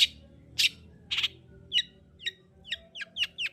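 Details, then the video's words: Long-tailed shrike, singing strongly as a lure for a quiet bird: three harsh, noisy bursts, then a string of thin, hooked, chirping notes that quicken toward the end. "Pancingan Cendet Gacor Untuk Menaikkan Emosi Cendet Malas Bunyi"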